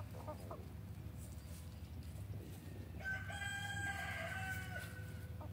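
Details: Free-range backyard F3 Olive Egger rooster giving a long crow: a rich, steady tone sustained nearly two seconds before fading, preceded by soft clucks and underlaid by a steady low background hum.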